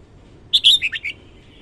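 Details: Morning song of a red-whiskered bulbul, a single quick phrase of five clear whistled notes that dip and rise, lasting about half a second, with a faint steady hiss behind.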